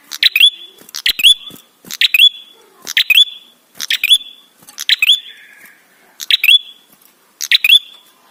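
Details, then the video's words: A red-headed tailorbird (prenjak), used as a lure call to prompt other birds to sing, repeats a sharp, clicky burst ending in a bright, rising whistle about once a second, steady and loud, with no other sounds. "Prenjak gacor suara ampuh untuk pancingan"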